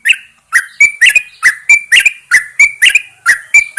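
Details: Yellow-vented Bulbul in a cage, placed outside at dawn to prompt singing. Continuous rich, bubbly chattering phrases come about twice a second, each ending in a brief bright whistled note.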